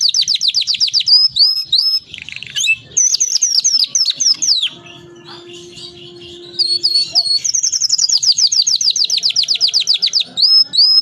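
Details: Energetic canary singing a long rolling song meant as a tutor for other canaries: rapid high trills and downslurred whistles, a brief pause holding a steady low tone, then another fast, even trill.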